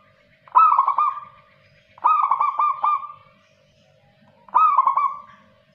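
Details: Local zebra dove in active song: three phrases, each a bright opening note that breaks into a rapid stutter of soft cooing pulses and then trails off. A steady low hum runs underneath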